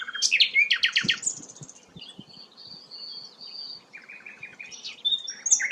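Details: Rare sikatan londo flycatcher opening with loud harsh chattering notes, then holding thin, level whistles, followed by a short series of soft repeated chips and a final sharp squeak, over light background noise and knocks.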